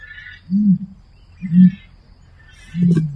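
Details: Common ostrich uttering three low, muffled grunts about a second apart, with faint bird chatter behind.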